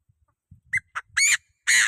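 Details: Chinese francolin crowing as a lure to provoke rival birds: harsh loud notes, two short, then two long grating blasts, over faint low rustling and thumps.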